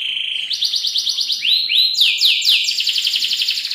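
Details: Canary training song for tutoring other cage birds, in the rich cengkok mewah style: a buzzy high trill, then several downward-swooping slurred notes, and finally a fast rattling roll of repeated high notes.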